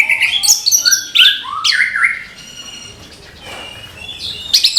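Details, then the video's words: Orange-headed thrush singing in the morning: a varied run of clear whistled and chattering phrases, some rising and some dropping, then a quieter pause before sharp high notes return at the end. "ANIS KEMBANG GEMERCIK SUARA DIPAGI HARI"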